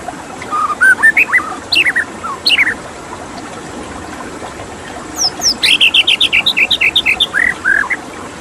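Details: White-rumped shama with looping whistles and high descending slurs, a quiet stretch, then a rapid rhythmic series of about a dozen sharp high notes and a final warble, over running-water hiss.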